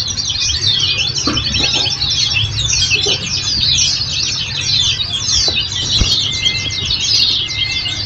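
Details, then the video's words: Oriental white-eye song used as a training recording to prompt caged birds to answer: dense, fast, overlapping high twittering chirps and thin descending trills run continuously, with a steady low hum and a few faint clicks beneath. "Masteran||Terapi Kicau Pleci"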